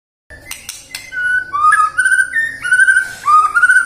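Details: White-rumped shama song played to prompt singing in the morning, midday and afternoon: clear whistled notes, several flat and slurred phrases around mid pitch, with a few sharp clicks early on.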